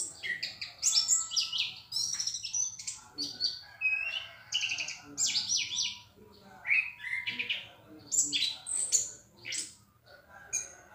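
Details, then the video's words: Orange-headed thrush singing loud and clear, mixing whistles, rising slurs and fast twittering notes in bursts separated by brief pauses. "Anis kembang gacor dor suara keras dan jernih"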